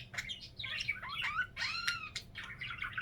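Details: Pet budgerigar warbling indoors in quick bursts of burbling chirps and bright upward whistles, with soft, warbled phrases between them.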